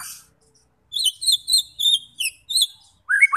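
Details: White-rumped shama song meant to provoke fighter birds into singing and showing their repertoire: a short burst, a pause, then six or seven evenly spaced high, clear whistled phrases, closing with a lower rising note.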